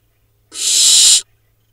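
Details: Barn owl owlets at a nest in the Hula Valley, Israel, filmed 7 July 2021 while preening. One clean, rasping hiss of roughly 0.7 seconds; the nest is otherwise silent.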